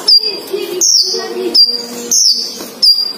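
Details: With male and female caged together, the sunbird utters thin, piercing descending whistles and brief buzzy notes, roughly every second, while music plays faintly.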